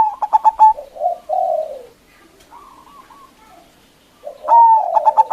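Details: Zebra dove calling to provoke rival doves: a run of staccato notes, low falling purrs, a soft distant coo, then another long whistled note with quick pulses and purring underneath.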